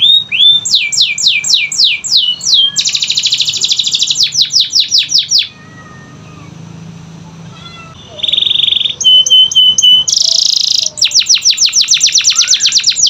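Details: Canary song meant to set off quiet canaries: falling whistled sweeps, a dense buzzy roll, rapid trills, a soft lull, then buzzy bursts, clipped notes and a fast closing trill.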